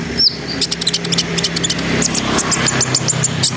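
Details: Brown-throated sunbird in lively gacor song, ngriwik and ngerol style, played to raise breeding arousal in other birds: thin high chirps, quick rising whistles and dense clicking notes over a steady low engine-like hum.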